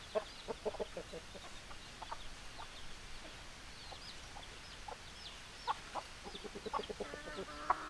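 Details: Scattered chicken clucks, some in quick pairs, sound over constant background noise. Near the end a longer, more tonal call rises above the clucking.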